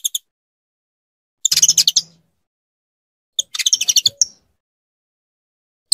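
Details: A female saffron finch calls repeatedly to warm up and pair with her male for breeding: two dense trilled bursts of fast buzzy notes about two seconds apart, with scattered short chips between.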